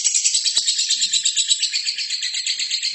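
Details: Lovebird song used to train other birds: an unbroken, high, harsh chatter of fast, even pulses, shrill and buzzy throughout, with a few soft clicks and a faint low hum beneath.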